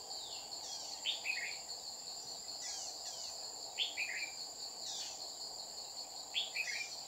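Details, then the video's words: Red-whiskered bulbul used as a trapping decoy in Dong Nai, 30 July 2019, singing short clipped phrases of a few descending chirpy notes about every one to two seconds against a constant shrill insect hum. "Bẫy chào mào Má lỡ xuống dọa mồi liên tục"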